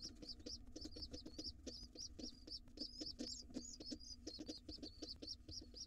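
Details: Pigeon nestling with its father at breakfast in a wild nest box; a steady stream of high, thin, wavering peeps several per second, backed by regular low tapping and rustling.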